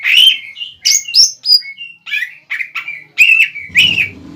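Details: Greater green leafbird kept as a cucak ijo bahan, singing to provoke a rival into answering: dense rapid whistles, high piping notes and chattered slurs without a break, ending with a low rustling flutter.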